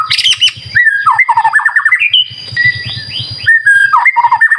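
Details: White-rumped shama song used as a lure to set other shamas singing: loud clear whistles and quick slurred notes between mid and high pitch, with rapid descending trills, over a soft low rhythmic pulsing in the background.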